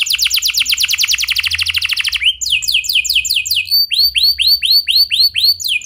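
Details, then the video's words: Canary in vigorous, clear rolling song, used as a lure for other canaries: a very fast high roll for two seconds, then a shift to slower, regularly repeated arched whistled notes. "Pancingan Efektif Banyak Burung Kenari Cepat Ikut Gacor Dengan Suara Kenari Gacor Ngeroll Jernih Ini"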